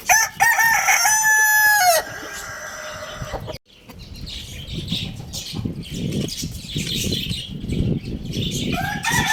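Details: A Lohmann Brown rooster at a bird market opens with a loud, harmonic crowing phrase of about two seconds, followed by wing flapping, rustling and clucking from surrounding birds.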